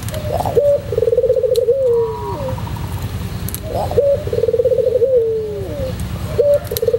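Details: Singing white pelung Barbary dove used as a training tutor: low coos repeated about every three seconds, each a quick rattling trill running into a long falling note, with steady low mechanical hum beneath.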